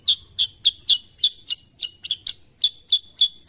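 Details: Repeated bright chirps from a sooty-headed bulbul, high and sharply clipped, coming about three per second with a short double note, against a quiet background.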